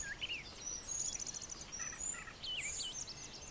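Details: A male Brown Thrasher gives his morning song near brushy farmyard nesting areas: quick, varied phrases of high chirps, slurred whistles and short rapid note series, over a steady hiss of background noise.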